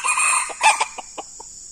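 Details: Red junglefowl decoy bird meeting an aggressive wild male: the hoarse tail of a crow, then a louder burst and spaced, sharp clucks slowing down, with a continuous high insect drone behind.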